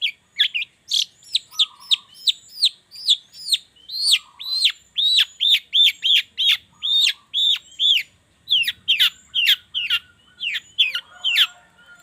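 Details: Long-tailed shrike morning lure song to prompt reluctant shrikes into singing: a fast run of clear downslurred whistled notes, then stacked chips, with a faint lower chattering bird in places.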